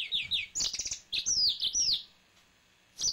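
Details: Male yellow-fronted canary kept as a pet singing: quick high warbled phrases with sliding whistled notes and trills, a pause, then another brief phrase starting near the end.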